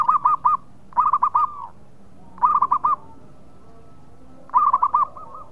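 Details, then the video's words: Loud, frequently singing local zebra dove used to lure breeding-mood birds: clipped, rapidly stuttered coo notes in tight clusters, some ending in a drawn-out trailing coo, with pauses of one to two seconds between phrases. "Perkutut Lokal Gacor Suara nyaring cocok Nikan birahi"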